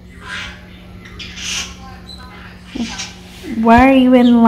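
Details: Pet conure hiding in a laundry closet, ending with a loud harsh, buzzy drawn-out squawk after quieter rustling and soft sounds, over a steady low hum indoors.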